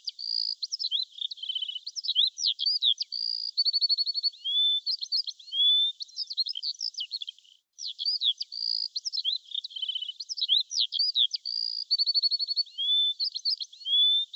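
A small bird sings a fast, high, varied song of sweet whistles, rapid trills and buzzy notes, running almost without pause, with one brief break midway.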